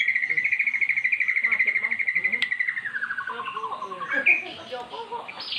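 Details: Caged magpie-robin, once mute, singing in response to played-back magpie-robin song: a long, fast, evenly pulsed trill held steady before dropping lower, then short sharp notes over a busy background.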